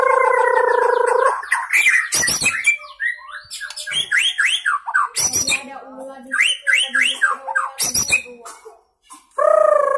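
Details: Loud, varied song of a young white-rumped shama freshly out of juvenile plumage, delivering mimicked fill-in phrases from one perch: a buzzy held note, then rapid rising and falling whistles, chips and sharp trills, ending on another buzzy tone.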